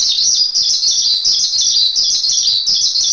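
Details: Javan pied starling masteran song, a steady, high, buzzy chatter of fast chirps forming an almost continuous trill, loud and even, with no other sounds.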